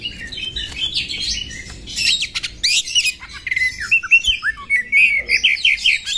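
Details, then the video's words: Oriental magpie-robin, a female whose voice is used to incite males to open their tails and fight. Harsh, scratchy chatter comes first, then a lively run of short whistled notes repeated at a quick, uneven pace. "KACERMU CEPAT EMOSI TERPANCING KACER BETINA FULL BUKA EKOR TARUNG NGOTOT INI"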